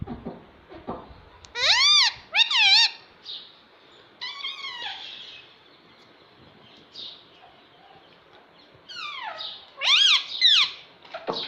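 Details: Pet parrot, said to talk and say "Mummy Mummy" and "Mitthu mitthu", giving loud, harmonic, arching squawk-like calls in paired bursts near the start and again near the end, with quiet stretches between.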